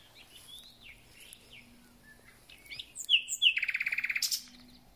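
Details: Spring song of a thrush nightingale: quiet slurred whistles build to two sharp notes and a fast even trill, then a brief harsh burst.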